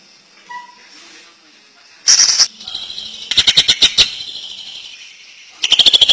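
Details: Greater green leafbird, a champion singer, singing intensely in the 'ngentrok' style: faint short whistles at first, then loud high-pitched bursts, a rapid run of sharp repeated notes mid-way and another loud trilled burst at the end.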